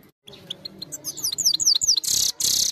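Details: A trained European goldfinch, recorded by phone, starting quietly and building into a string of quick, high, descending twitters, then two harsh buzzy bursts near the end.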